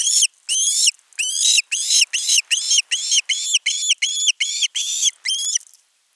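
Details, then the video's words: A young osprey at its nest, filmed by a live camera on 10 August 2021, begs insistently for fish. About thirteen loud, piercing whistled screams, each arched in pitch, follow one another almost without pause. "Myy huutaa pitkään kalaa"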